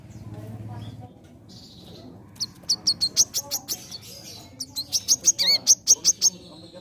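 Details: Sunbird kept in a collection, singing actively: a few thin high notes, then a quick run of sharp repeated chirps, then a second, louder burst of chirps with one downslurred note in the middle.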